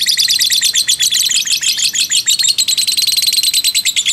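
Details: Fighter lovebird calling ngekek, used as lure audio to stir other lovebirds' emotion; harsh, piercing, rapid chattering notes repeat continuously at a steady fast pace.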